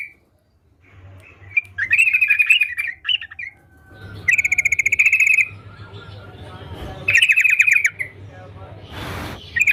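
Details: Sooty-headed bulbul singing actively: harsh, rattling trilled bursts of one to two seconds, with quieter chirps between them and a short noise burst near the end.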